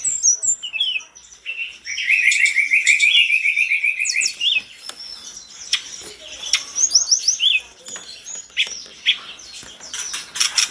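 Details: Sunda robin, called mountain tledekan, singing vigorously while other tledekans reply; a rapid chattering trill early on, then a scattered mix of sharp chirps and high whistles.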